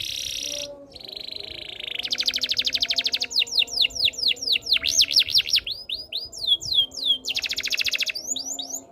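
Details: Canary pours out a high buzzy roll, then a rapid pulsed trill, swooping up-and-down whistles, and more rattling trills in quick succession.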